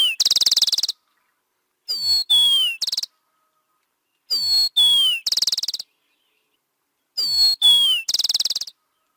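Rufous-collared sparrow singing clear, slurred whistles that drop in pitch, then a high buzzy trill. The phrase repeats about every three seconds with silence between.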